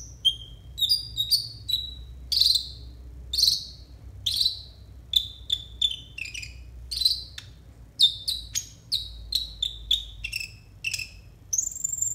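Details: Konin singing as a master bird for training other birds, a long varied sequence of high whistled and slurred notes in rapid succession, some dropping in pitch, ending on a higher sustained whistle.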